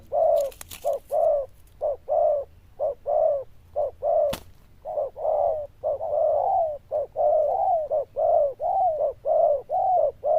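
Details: Loud bell-voiced zebra dove cooing steadily, short clipped notes alternating with longer warbling coos at about one a second, with a sharp click near the start and another midway.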